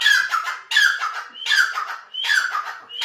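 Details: Grey francolin calling loudly, harsh grating phrases each starting with a rising note and falling away, four phrases in three seconds at an even pace.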